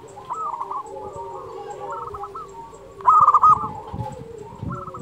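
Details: Zebra dove, local type, singing a master song to coax reluctant doves into song: low background coos from several birds, broken by a short loud burst of quick pulsed notes midway.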